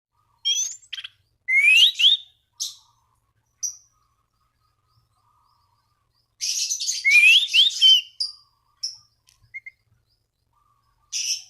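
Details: Orange-banded thrush singing to call rivals and prompt other thrushes to sing: two bursts of loud, dense high warbling with rising slurred whistles, separated by short chips and a pause.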